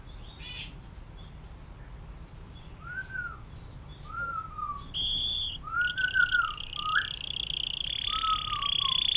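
Canary song: liquid, down-curving whistled notes about every second, then a long, high, steady buzzing trill. Faint low background hum throughout.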